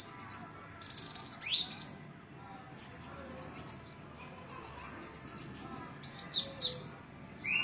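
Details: Cinereous tit song: two bursts of very high, thin, buzzy chittering notes with sharp upward sweeps, about a second each, separated by a quiet gap; faint low background hum throughout.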